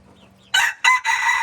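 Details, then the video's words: Red junglefowl crowing: after a quiet lead-in, three loud, harsh, broadband bursts follow in quick succession, separated by short gaps, the last one sustained to the end. "Mix red junglefowl qaib dib qaib qus txuam txoov"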